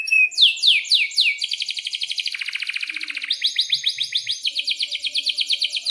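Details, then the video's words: Domestic canary in breeding condition, singing vigorously with long rolls. A few high rising sweeps open the phrase, then dense rapid trills shift pitch in stages, pulsing about four times a second. "Kenari GACOR PANJANG"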